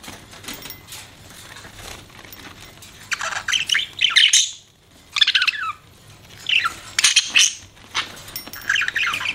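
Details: Pet budgerigar chirping in bursts of bright, scratchy warbles and squeaky notes, with short gaps of near silence between phrases and a faint low hum beneath.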